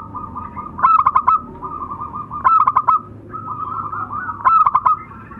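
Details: Local zebra dove pair, male and female, in song. Three rhythmic phrases of rapid staccato coo notes about every two seconds, with softer purring coos running between them.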